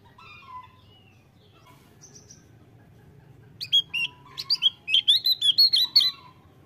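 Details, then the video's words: Javan grey-throated white-eye in vigorous song: after a quiet start with a few soft notes, a rapid burst of bright, high chirps and short twittering phrases, repeated several times a second, fills the last three seconds. "OPIOR JAWA GACOR...KICAUANYA BAGUS SANGAT MENYENANGKAN"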